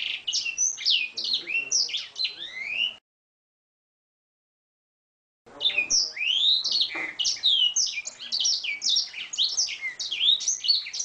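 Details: Song of an Oriental magpie-robin packed with canary-style phrases, meant for training birds: fast high whistled and trilled notes for three seconds, a pause of over two seconds, then a longer lively stream of varied chattering phrases.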